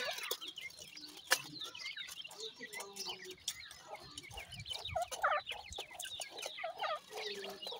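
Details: Grey francolin (titur) chicks calling to one another: a busy flurry of thin, high peeps and short chirps, overlapping and irregular, with a sharp click near the start and faint low rustling beneath.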